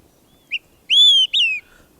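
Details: Olive-sided flycatcher singing one 'quick three beers' phrase: a brief high pip, then a long, clear, slightly falling whistle and a shorter downslurred whistle, with a click at the end.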